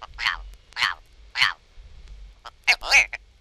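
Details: Willow ptarmigan (Lagopus lagopus) from a 1961 eastern/central North American bird-song guide gives harsh, rasping, nasal croaks, about four short bursts half a second apart, then a quicker rattling cluster; call.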